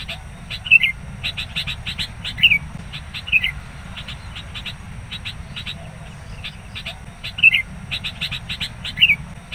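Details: Sooty-headed bulbuls at a trapping site, wild birds provoked aggressively by a decoy bird: steady run of bright, rapid chirps punctuated by louder sharp notes every second or two, over low background rumble.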